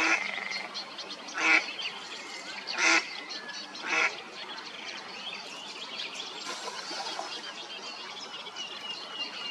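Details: A female mallard calls for her mate with a few harsh quacks in the first four seconds, then only soft, steady background hiss with faint chatter.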